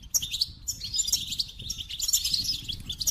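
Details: Continuous bright, rapid twitter from a goldfinch, with high jingling notes and buzzy fragments packed tightly together for the whole three seconds.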